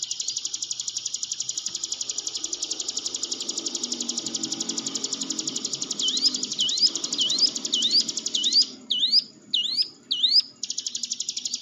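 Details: Hill prinia training lure for shy cage birds: a long, steady high buzzy trill dominates, with a run of quick upward-sweeping whistles entering near the end, broken by brief gaps.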